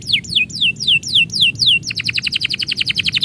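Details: Canary singing as its owner is about to leave: a series of loud, bright descending whistled sweeps, then a fast run of rapid repeated chirpy notes.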